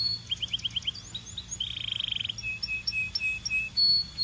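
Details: A Belgian canary sings quick upward chirps, a pulsing rolled trill, then evenly spaced short whistles and a closing bright phrase.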